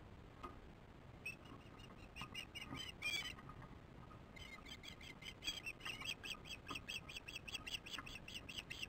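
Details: Osprey chicks at the nest on 8 June 2015, 18:44, filmed by a nest camera as they work on the nest: faint, high chirps in irregular bursts, then a quicker run of piping notes, over steady background hiss.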